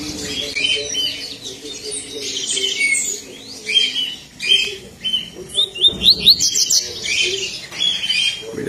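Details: A lined seedeater sings its 'tui tui' song strongly and loudly on a Sunday, a rapid, high, scratchy song of chirps and quick rising sweeps, with a man's voice faintly in the background.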